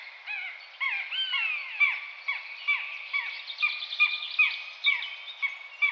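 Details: Common buzzard (Buteo buteo) calling: a few long, downslurred mewing whistles early on, then a steady series of short, clipped notes repeated roughly every half second, with overlapping calls and a bright, layered tone.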